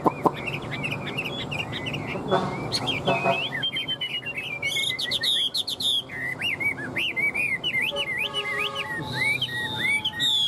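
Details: Caged fan-tailed Chinese hwamei, hung up and singing while flicking its tail like a laughingthrush: a rich, rapid run of varied whistles and slurred notes, rising and falling between bright trills, with faint background music.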